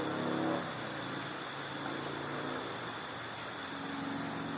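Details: Steady engine and fan-like mechanical noise, with a brief low tonal hum in the first half second and no animal calls.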